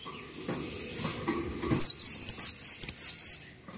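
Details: High whistled song of the gelatik watu (cinereous tit), sung vigorously: after low background rustling, a steady string of about eight hooked notes, each rising then dropping, delivered quickly.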